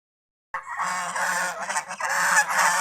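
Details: Domestic geese described as happy while out in the fields around a house; after a half-second of silence, loud, harsh nasal honks begin and continue densely, overlapping and pulsing without pause.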